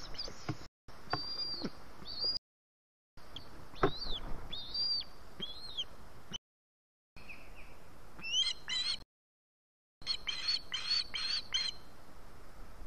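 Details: An osprey begging for food on 4 September 2017 gives high, whistled chirps, some slurred up or down, repeated in short bursts and rapid runs over a steady low rumble of wind.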